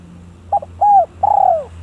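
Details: Village spotted dove calling out to a rival, giving a clipped double coo, a long falling note and a trembling, wavering drawn-out coo, with a steady low hum underneath.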